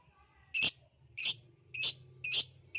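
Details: A lovebird, heard on a lure meant to make lovebirds sing, gives four or five loud, harsh, high chirps about half a second apart over a faint low hum.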